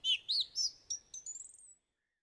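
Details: Song thrush giving three loud, arched whistles, then sharper clicks, then a fading, high, rapid trill. Silence follows.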